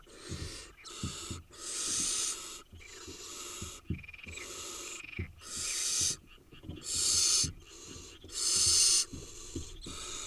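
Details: Over ten seconds, a brood of eight wild barn owl nestlings in Israel hisses and wheezes almost without pause. The rasping bursts vary in length, several of them loud and drawn out, with knocks in the gaps.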